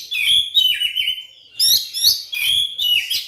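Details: Lure song of a white-rumped shama for setting other shamas singing: three loud phrases of rich whistles mixed with buzzy chatter, separated by brief drops in volume.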